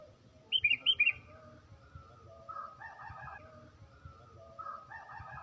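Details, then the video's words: A tame sooty-headed bulbul (kutilang) singing in the morning, used as a lure call, gives a quick burst of loud, bubbly chirps, then softer rolling, gurgling phrases repeating about every two seconds. "Kicau Merdu Kutilang Jinak Gacor"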